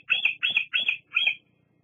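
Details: Bald eagle squeeing at the Fraser Point nest, 08-08-22. Four loud, high-pitched squealing notes, evenly spaced and slightly harsh, each falling at the end.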